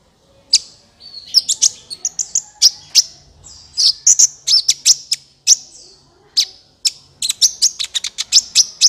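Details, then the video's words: Sunbird calls played to lure birds for trapping: steady series of sharp, high chirps and short downslurred tweets, with a quiet low hum in the middle. "SUARA PIKAT BURUNG KOLIBRI NINJA"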